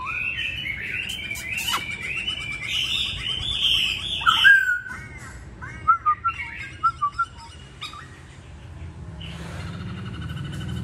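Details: Masked laughingthrush song, style bắt cô chói cột: dense chattering phrases, then a series of six loud clipped whistles, ending in quieter sounds with low background noise.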